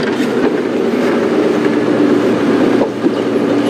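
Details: Loud continuous engine and vehicle rumble fills the recording, with no animal voices.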